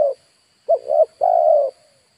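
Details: Spotted dove kept as a decoy to attract wild birds, delivering one coo phrase: a short note, a wavering double note, then a long level note trailing off, with a thin steady background whine.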